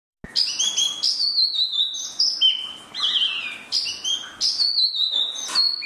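Spot-throated babbler singing a rich, continuous run of clear whistled phrases, many slurring downward, with bright high notes and scratchy fragments woven between.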